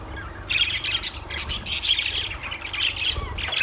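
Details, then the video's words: Lovebirds breaking into loud, harsh squawking after a quiet start, a continuous shrill, grating chatter with rising and falling notes, low hum in the background. "Lovebirds Sounds Birds Singing"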